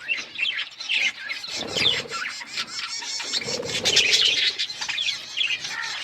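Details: Pet budgies in steady chorus: a busy stream of shrill chirps, buzzy warbles and sharp squawks layered thickly over six seconds, with some softer low chatter underneath.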